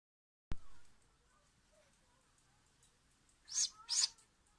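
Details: A baby great grey owl named Nigel gives two harsh, breathy hissing screeches about half a second apart, after a sharp click near the start.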